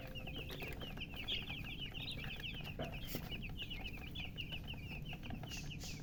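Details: A group of newly hatched chicks peeping nonstop: high, brief, descending chirps strung in an unbroken chatter, accompanied by a steady low hum and faint clicking.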